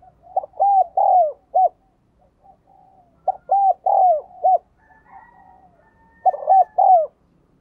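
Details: Spotted dove decoy calling to lure wild birds, repeating a four-note arched cooing phrase three times about every three seconds, with soft murmured coos in the gaps.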